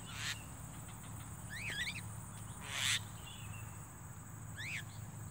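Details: A Javan myna, heard during bird trapping, gives three brief, harsh zigzagging calls a second or so apart over a steady low hum and a faint insect-like hiss.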